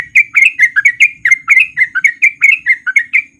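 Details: Bright, bubbly chirps tumble out at about four per second from a male sooty-headed bulbul. The song is used as a lure to coax lazy trucuk into singing, and the background is quiet.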